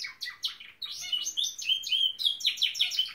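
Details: Norwich canary singing loudly and close: quick downslurred chirps, then a rolling whistled trill and rapid rhythmic chopping notes, bright and high-pitched throughout.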